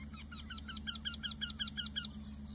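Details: Eurasian wryneck (Jynx torquilla), call.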